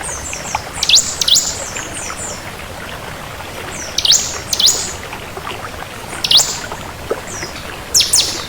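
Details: Crystal-type bar-winged prinia singing freely: pairs of high, quick down-slurred whistled notes given in spaced bursts every two seconds or so, against a soft continuous hiss.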